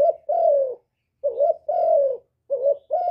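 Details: Soft, deep cooing from a spotted dove in the 'hap boi' song style, part of a full calling, urging and cooing sequence: a short wavering note then a long, gently falling coo, repeated, in silence otherwise.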